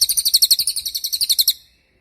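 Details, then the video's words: Cililin tutor song for teaching songbirds, including young and moulting birds: one quick burst of shrill, closely spaced high chirps, roughly fifteen notes in a second and a half, ending cleanly into silence. "MASTERAN CILILIN || TAJAM DURASI PANJANG"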